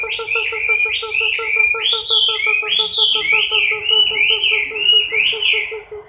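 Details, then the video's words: Chinese hwamei in moult, October 2015, pouring out a long string of bright whistled phrases that rise and fall. A fast, even pulsing buzz runs underneath the whole time. "HỌA MI THAY LÔNG"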